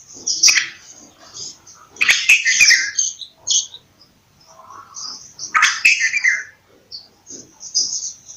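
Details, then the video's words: Bulbul giving bursts of bright, high chirping and twittering, loud clusters near the start, middle and end separated by quieter gaps, punctuated by sharp clicks. "Bulbul Sound | bulbul voice"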